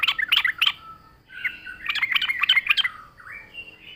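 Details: Yellow-vented bulbul lure song. A quick series of bubbly, jumbled chirps is followed by a louder chattering burst, then a smooth rising whistle that levels off into a steady tone.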